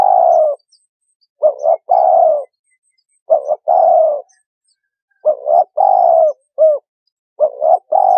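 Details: Turtle dove cooing: a soft, low phrase of two quick clipped notes run into one longer, slightly falling coo, sometimes with a short added note, given about five times with brief pauses against a quiet, clean background.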